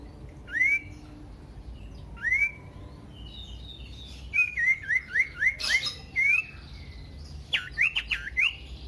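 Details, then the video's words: Common iora song used as a lure to prompt other ioras to sing: short rising whistles spaced about two seconds apart, then a quick run of rapid upslurred notes and a few sharp descending whistles at the end. "pancingan burung sirtu cipoh AMPUH bikin GACOR dan EMOSI"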